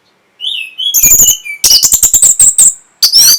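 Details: Breeding-stimulation song of an Orange-headed thrush: a soft rising whistle, then dense rapid harsh notes under a high sustained whistle, ending in a loud slurred phrase.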